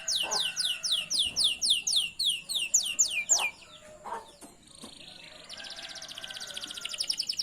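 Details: Canary song for training young canaries to sing: loud series of descending whistled sweeps, each about a third of a second, fading into a quieter, fine rapid trill at the end.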